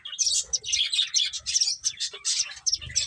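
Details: Dense, bright chirping from finches eating, short high tweets repeated quickly and overlapping, with occasional lower soft notes and faint knocks.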